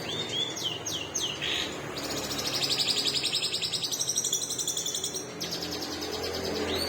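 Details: Long-tailed shrike with a split beak, in long singing bursts: descending whistled sweeps, then a rapid run of rasping high pulses that stops and resumes, over background hiss.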